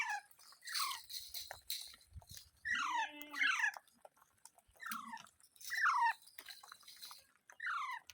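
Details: Parrot calling indoors: a series of sharp, descending squawky chirps that sweep downward, given in bursts about a second apart, with faint clicks and rustling between them.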